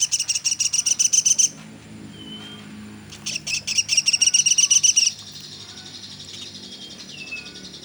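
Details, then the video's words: Pelatuk sampit, the velvet-fronted nuthatch, in a nonstop tutor recording: two fast runs of high, ringing chip notes, each lasting about a second and a half, followed by softer chatter and faint whistles. "Burung Platuk sampit dasyat bunyi nonstop"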